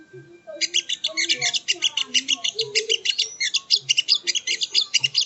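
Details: Dense, rapid song of a sogon (sogo ontong) for training cage birds: a fast unbroken series of high, sharp chirps with bright accented notes.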